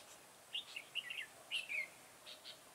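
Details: Decoy red-whiskered bulbul singing during garden trapping on 9 October 2017, heard as a quick run of bright chirped notes followed by a slurred, falling whistle, then two soft trailing chirps.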